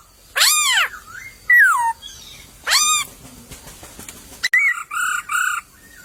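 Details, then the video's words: In a wild bamboo thicket, a white-crested laughingthrush gives loud arched harsh notes and a falling whistle, then after a noisy pause a series of rounded, hooting whistled notes. "Burung POKSAY berkicau di semak bambu"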